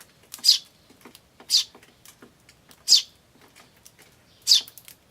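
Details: Eurasian tree sparrows, chicks and adults, 10 May 2013: four loud, isolated high chirps spaced about one to one and a half seconds apart, with faint soft notes between them.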